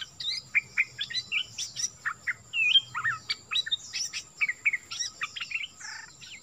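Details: Nok dok taeng singing a lively 'phleng boen' phrase, played so young birds sing along: a dense, varied stream of chirps, slurred whistles and short trills, with a steady faint hum underneath.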